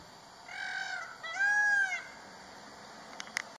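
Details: Indian peafowl morning call at Nagarahole Tiger Reserve: two loud, nasal, wailing notes, the second stronger and held longer, followed by a couple of faint clicks.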